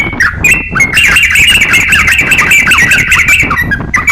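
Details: Crocok-cokan song for teaching songbirds: after a short gap, a loud unbroken stream of rapid twittering notes with dipping whistled slurs runs to the end.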